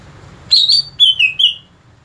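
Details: Greater green leafbird, known locally as cucak ijo, giving a short clear whistled phrase of four notes, the first two level and high, the next two lower and slightly falling, over faint low background hum.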